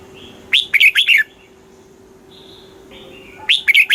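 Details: {'caption': 'Red-whiskered bulbul song in the Thai southern master style, played to caged birds to excite them and to teach young birds: a rapid five-note warbled phrase, faint thin whistles, then the phrase returning; low hum beneath.'}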